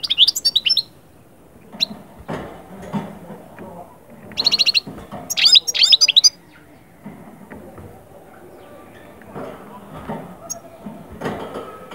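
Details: European goldfinch singing, a song meant to rouse birds from moult into summer breeding mood: quick liquid twitters and jingling trills in three separate bursts, with quiet gaps filled by soft low background rumbling.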